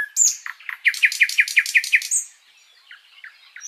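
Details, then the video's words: Flycatcher (sikatan londo) singing a tutor phrase for other birds: a high sliding whistle, then about eight rhythmic rising notes repeated rapidly like a rattle, fading into a few soft, spaced chips. "Masteran Burung sikatan Londo gacor panjang"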